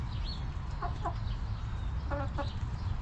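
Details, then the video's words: Backyard chickens in a coop: two short bursts of low, harmonic hen clucks, the first near one second and the second just after two seconds, over a constant low rumble of background noise. "Rooster Crowing! Hens Clucking!"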